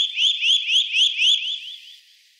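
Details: Eurasian nuthatch calling: a fast run of about eight bright upslurred notes, each rising sharply, delivered at roughly four per second and fading away in the last half second.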